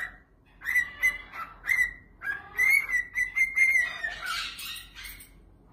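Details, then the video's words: A pet bird sings to its new toy at an animal sanctuary, giving a run of short whistled notes at one pitch, then a longer warbling whistle and a burst of scratchy chatter near the end. "bird sings to his new toy"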